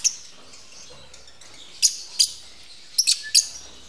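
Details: Lovebirds during mating at a breeding facility; a handful of short, piercing high chirps ring out singly and in a quick triple, with quiet gaps between.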